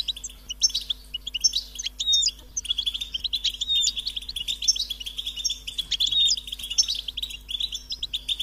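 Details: European goldfinch chicks calling insistently to their parents for feeding, a continuous high twittering of sharp chirps and short whistled notes over a faint low hum.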